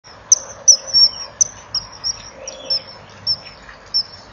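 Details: Common kingfisher at a breeding-wall nest camera, 13 March 2014, 17:10: the male, heard arriving, brings a fish to the female. Thin, shrill, very high whistled notes, about a dozen in four seconds at an uneven pace, over a faint low rumble.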